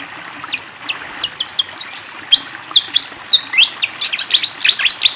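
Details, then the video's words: Spirited fantail song beside flowing water: sparse high chirps building into a faster sequence of bright whistled notes and quick chirps, some with sharp rising slurs, over a steady rush of water. "SUARA BURUNG SIKATAN KIPASS GACOR DENGAN SUARA AIR MENGALIR"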